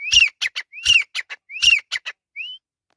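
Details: Grey francolin male giving its repeated call: a rising whistle then a burst of sharp high notes, three full phrases roughly every 0.7 seconds, ending with a lone rising whistle.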